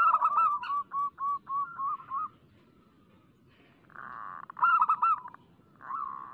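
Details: Local zebra dove singing steadily, played as a lure to set other doves cooing. Over two seconds a string of quick, rolling, even coos runs evenly, then pauses before a softer burr and a bright trilled cluster follow.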